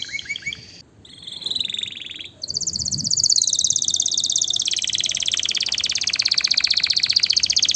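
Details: Canary singing to stimulate mating: a few short high chirps, a brief pause, then a long, fast, buzzy trill of rapidly repeated high notes rolling on without a break to the end.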